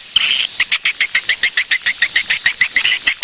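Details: Swiftlet lure sound for drawing swiftlets to roost: a rasping opening note, then evenly spaced short chirps, about two per second, each bright and clipped, with a faint continuous high whine behind.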